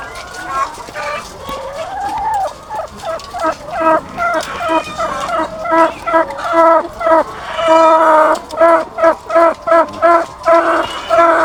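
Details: Farm flock of thousands of egg-laying chickens; after a rising, wavering note, a bird gives a long series of short, sharp, evenly pulsed notes, about two to three per second, above the hum of the crowded flock.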